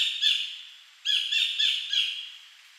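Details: Collared kingfisher, wild, recorded in 2011 at Bung Boraphet, Thailand, calling repeatedly: harsh, loud notes around four in a series, a short one then a burst of three after a pause, against a quiet background.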